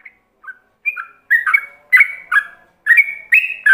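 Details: Yellow-vented bulbul singing a ropelan-style training song meant for other bulbuls to copy: a few soft opening notes, then rapid bubbly whistled phrases, each dipping and rising, repeated about every half second with no other sounds.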